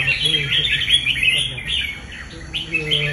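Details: Red-whiskered bulbul, a competition bird being trained into fighting song, gives dense, bright chirping and warbled phrases with rapid, overlapping notes and hardly a pause, along with faint low voices of people in the background.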